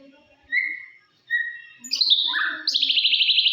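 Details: White-rumped shama song used as a lure to provoke other shamas: two clear, level whistles, then quick stepped notes and a fast, rattling trill of high, repeated notes at the end.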